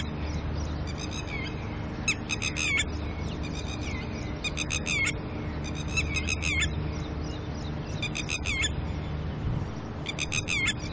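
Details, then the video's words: Red-wattled lapwing pair near their chicks at dawn, agitated by an intruder, giving repeated bursts of sharp, rapid, piercing notes roughly every one to two seconds, with faint low hum and background noise throughout. "Red Wattled Lapwind"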